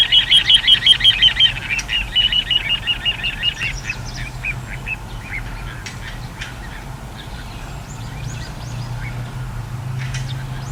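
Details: Little ringed plover, 14 April 2021: an opening burst of fast, regular high piping notes that trails off after a few seconds, followed by scattered fainter calls and chirps against a quiet, low background rumble.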